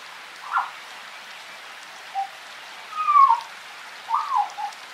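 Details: African grey parrot in the wild forest in rain: a few separate whistled calls, one long falling whistle near the middle and a curved two-part whistle after it, over steady rain patter.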